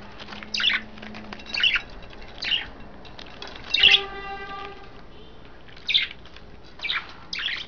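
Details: Pet budgerigars indoors, three females among five birds taking baths in wet vegetables or a water dish, recorded 09.02.12; short bright chirps spaced about a second apart, with a brief steady tonal hum near the middle.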